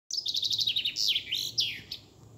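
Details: European robin singing on 13 April 2020, Easter Monday: a quick run of high, evenly repeated notes, then a bright burst and slurred, falling phrases. The strophe lasts about two seconds against a quiet background.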